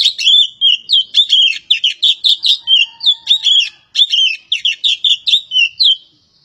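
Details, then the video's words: A kacer poci, the Javan race of Oriental magpie-robin, delivers six seconds of energetic song: quick scratchy phrases mixed with clear short whistles, repeated in tight bursts, trailing off at the end. "BURUNG KACER POCI JAWA"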